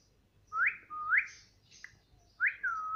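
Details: Pet parrot, described as talking and saying "Mummy Mummy", gives clear whistled notes that sweep sharply upward and then level off, three in a row, with a soft short chirp between them and a quiet background.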